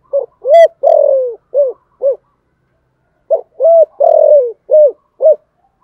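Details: Spotted dove cooing in a 'giọng thổ' voice, two phrases of five notes each: a short hoot, a long coo, a longer drawn-out falling coo, then two short clipped coos, with a pause between phrases.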